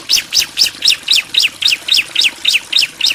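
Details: Rapid rhythmic chirping from a bar-winged prinia pair answering one another: a steady train of about thirteen bright, high, flicked notes, roughly four per second, without pause.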